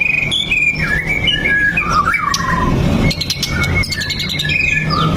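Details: Lure song of a white-rumped shama, meant to prompt other shamas to sing: varied whistled phrases, slurred downward notes and sharp high chirps, over a steady low background hum.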